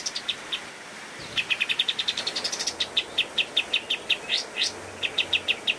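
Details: A pied triller sings actively in master song for training cage birds, opening with a few scattered notes, then a long quickening trill that rises, followed by spaced chips and brief upsweeps.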